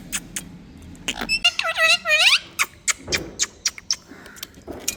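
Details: Indian tota, a rose-ringed parakeet, gives one harsh, ringing squawk with a rising and falling, strongly layered tone lasting about a second. Sharp clicks and taps come before and after it, along with a faint vocal murmur.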